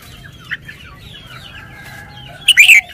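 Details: Red-whiskered bulbul shows its song style: after faint background twitters, one loud, rich phrase of quick whistled notes closes the clip.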